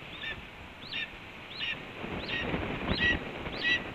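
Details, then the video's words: Morning food delivery announced by a red-tailed hawk at a Cornell nest in April 2013: six quick, curved notes about 0.7 seconds apart, the last ones sharper, over rising rustling noise. "RTH_BR's Breakfast is Announced By BR and Delivered by Ez"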